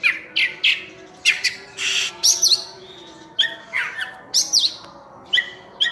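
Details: Kacer (oriental magpie-robin) singing actively. Harsh, squawky notes alternate with whistled slurs, spaced roughly half a second apart, in a varied filler-rich song.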